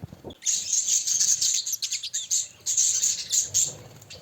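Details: Pet budgerigars living as a group, producing a steady, scratchy high-pitched chatter of many overlapping chirps and squeaks, with some fluttering and soft low background noise.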